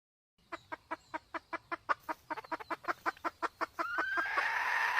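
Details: Sumatran junglefowl, male and female with a female in heat, recorded as a hunting lure: a steady run of short, sharp clucks repeated several times a second, then a rising hiss of broadband noise covering the end.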